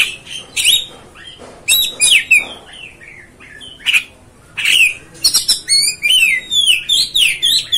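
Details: Oriental magpie-robin (kacer) song meant to provoke rivals: scattered harsh chirps and short whistles, then a dense closing run of descending whistled notes and high twitters.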